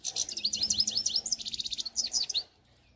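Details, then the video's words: European goldfinch singing: a quick, lively, high twittering run of liquid rising and falling notes and buzzy trills for about two and a half seconds, then silence. "Щегол Пение"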